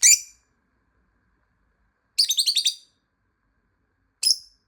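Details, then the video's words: Lovebird calling to locate a hidden companion bird: a sharp high chirp, then a fast rattling burst of six buzzy notes, then another short chirp, with silence between. "모란앵무새 호출#숨어있는 모란앵무새 찾기"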